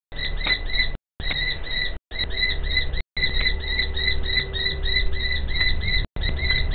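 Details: Female common kestrel calling in the background while the male wriggles out a nest scrape in front of her: rapid, evenly repeated sharp 'kee' notes in long runs, broken by short cuts, over steady low rumbling noise.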